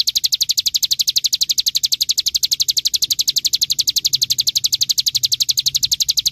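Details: Training recording of a bar-winged prinia (ciblek gunung) in 'ngebren' song style: a relentless, even stream of bright, high-pitched chipping notes repeated at a rapid fixed rate from start to finish.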